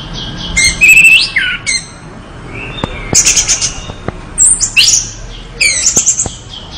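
Orange-headed thrush singing energetic bursts of high, varied whistles mixed with buzzy and scratchy notes, about four phrases in seven seconds, with a few faint clicks.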